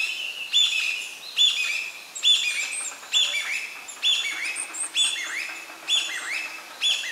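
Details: Juvenile varied tit: a series of bright high chirps, one burst roughly every 0.8 seconds, each a short cluster with a sharp upper note over a steady lower tone and small falling slurs, in a quiet natural setting.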